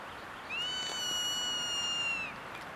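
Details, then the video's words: Zone-tailed hawk on Mt Lemmon near Tucson gives one long, drawn-out whistled scream, high and steady, nearly two seconds before trailing off, over faint hiss; possibly calling for a mate or food. "Zone-tailed hawk calls"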